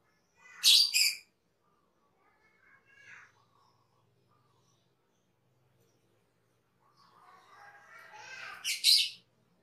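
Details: Cucak keling, a cage bird, in a master recording for training other birds: two loud harsh rasping bursts, a short softer phrase near the middle, then a rising burst of scratchy notes ending in another loud harsh outburst.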